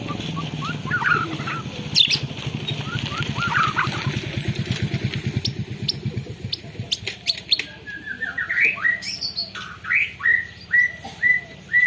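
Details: Canary-filled white-rumped shama song caught on a phone, at first masked by a steady motor drone, then clearer repeated short whistled notes and upswept phrases in the later seconds.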